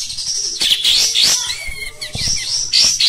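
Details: Oriental white-eye in a cage singing a rough, lively song: high buzzy twittering and thin whistled notes in quick bursts, a soft low hum in the background.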